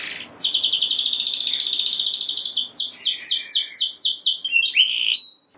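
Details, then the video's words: Canary singing to rouse other canaries: a long, loud, buzzy rolling trill of rapid even pulses, shifting into a series of repeated downward-slurred whistles about three per second, ending in a short sweep. "Kenari Gacor Ngeroll Nembak Joss! Buat Naikin Emosi Kenari Lain Biar Gacor Ngedur Ngerek"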